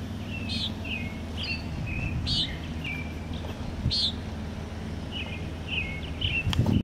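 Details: Common Nighthawk giving short, buzzy, nasal "peent" calls every second or two at 4:20 a.m. on 21 June 2020, Assiniboia, Saskatchewan, Canada, with thinner chirps from other birds and a steady low rumble beneath.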